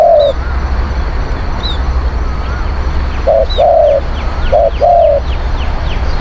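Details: Spotted dove song, used for luring wild doves: a single coo, then a pause, then two short coos each followed by a longer mellow coo, over a steady low drone, with faint high chirps from other birds.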